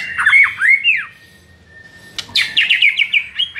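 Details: ['White-rumped shama training song meant to make another shama respond aggressively: bright slurred whistles, a sustained even tone, then a quick run of high chirping notes.']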